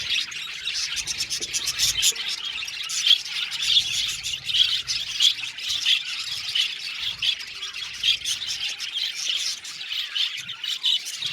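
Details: Australian budgies kept in an aviary colony chirp and squawk nonstop, with bright, clicky notes repeated rapidly over a steady chattering background.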